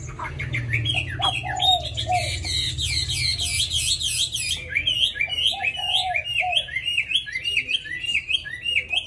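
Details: Caged tame hwamei pouring out its wild-style forest song without pause: quick repeated whistled swoops, high buzzy phrases, and lower warbling notes throughout, over a faint low hum.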